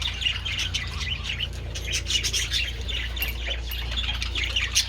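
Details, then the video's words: Budgerigars basking in the sun with treats on 27 February twitter in soft, high, overlapping chirps and warbles at an even level, above a steady low-frequency hum. "Adorable budgies enjoying treats in the sun"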